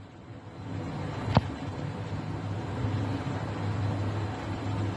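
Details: Steady low engine-like rumble with one sharp click just after the first second; no animal calls heard.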